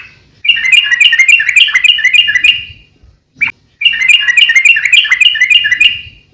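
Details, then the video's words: Sooty-headed bulbul singing vigorously for use as training and lure song: two long, evenly repeated runs of bubbly whistled chirps, each nearly three seconds, split by a single brief note. "suara trucukan gacor COR buat masteran / pancingan trucukan agar burung trucuk gacor"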